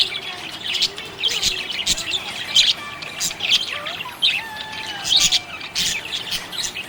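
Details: Cheerful budgie chirping: scratchy high warbles mixed with sharp squawky notes and clicks in uneven bursts, plus thin sliding whistles lower down.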